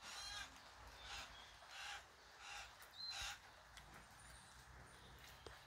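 Currawong chicks give harsh, rasping calls about every second. A thin, high whistle from another bird cuts in twice.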